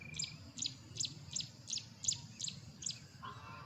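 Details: Male Carolina wren singing loudly from a perch, a territorial song: a run of eight bright, ringing high phrases repeated about every 0.4 seconds, with a short lower whistle at the close.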